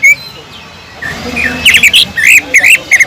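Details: Greater green leafbird singing a lure song with a kingfisher-imitation filler used to train other leafbirds: a brief whistle, a quiet pause, then a busy run of varied chirps, twisting whistles and short squawky notes.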